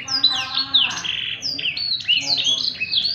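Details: Ngerek-style Blackthroat song, an actively singing bird recorded for tutoring other birds: rapid, sweet whistled phrases that rise and fall, with quick down-slurred notes packed closely together.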